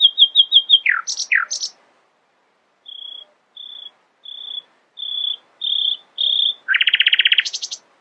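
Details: Early-morning nightingale song: a quick stuttering trill, swooping slurred notes, a series of six level whistles growing louder, then a dense buzzy rattle and a high trill.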